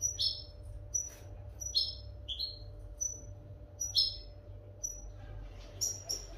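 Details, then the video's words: Tutor recording for teaching captive European goldfinches: clear high twittered notes, some sliding downward, in loose clusters about a second apart, with a faint electrical hum beneath. "audio pará educar a los jilgueros sin errores"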